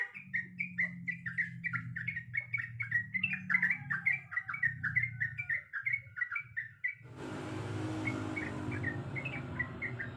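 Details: A female sooty-headed bulbul calls for a male with a fast series of chirpy, slurred notes for about seven seconds. A loud broadband hiss then takes over, leaving the bird faint beneath it.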